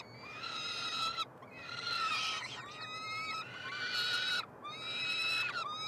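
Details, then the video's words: Three peregrine falcon chicks begging during a feeding at the University of Montreal nestbox, Canada, June 2022; rasping drawn-out screams in four bursts of about a second each, with short gaps. "Karmienia " trojaczków ""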